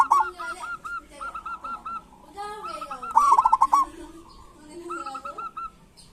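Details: Local zebra doves performing kerot and bekur song as a lure for quiet doves: quick series of bouncing coos, a loud rapid trill mid-way, and several overlapping birds with lower wavering notes beneath.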